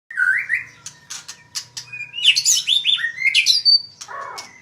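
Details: Magpie-robin, kept as a cage bird, singing a rich, varied phrase of whistles, sweeping slurs and rapid high notes. Bright and fluid, the phrasing jumps between pitches, with a faint steady low hum underneath.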